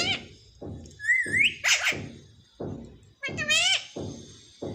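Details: Talking parrot kept as a pet, imitating human speech such as "mummy": rising whistled glides and harsh, voice-like bursts between regular low thuds in an indoor setting.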